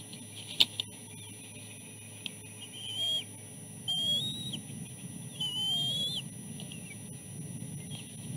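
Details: Chicks at the nest during a fish feeding, the oldest with something caught in its throat. After a quiet start with a few clicks, three fairly soft high whistles, rising slightly then dropping, over low rumble.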